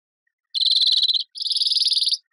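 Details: Two back-to-back buzzy rattling trills from a European greenfinch, the second slightly higher and harsher, heard cleanly without background noise.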